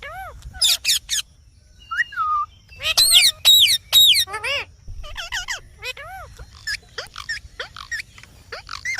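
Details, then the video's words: Green parrot giving loud, harsh, frequency-sweeping calls in irregular bursts. Rising and falling squawks and chirps come in quick clusters, with short pauses between them, over faint low background noise. "Talking Parrot Video।Mithu Ki Awaj।"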